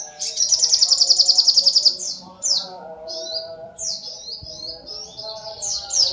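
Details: Sunbird (sogok ontong) gives a brisk, high, rattled trill lasting nearly two seconds, followed by scattered sharp descending whistles and chirps over a soft low hum.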